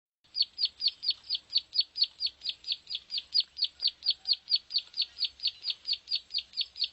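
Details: Plain prinia lure call, used to attract other plain prinias: a fast, steady series of sharp, high downslurred notes, about four each second, continuing without pause for seven seconds, with a faint low hum beneath.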